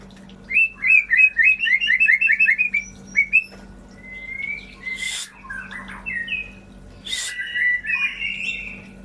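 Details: White-rumped shama song to encourage non-singing birds: a rapid burst of about ten repeated slurred notes, then quieter varied whistles broken by two harsh noisy bursts; low hum beneath.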